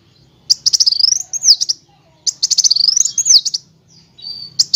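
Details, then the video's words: Two similar sunbird phrases used to tutor other birds: a quick run of high ticking notes swelling into a wavering whistled trill. Each phrase lasts about a second, followed by a short thin note. "MASTERAN KOLIBRI WULUNG, NYRECEKT NEMBAK, NGEROL BURUNG LANGSUNG GACOR"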